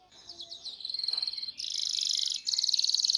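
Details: Canary singing as a training model for young canaries: scattered chirps, then a steady trill, then two loud, dense rolled trills with a soft hiss in the background.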